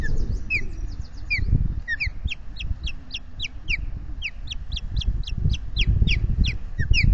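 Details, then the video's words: Alarm from a nesting Osprey pair, Salt Point, Finger Lakes, USA, afternoon of 12 May 2021, with intruders flying over the nest: rapid, insistent streams of short rising chirps, barely pausing, amid gusty wind rumble. "Intruders overhead"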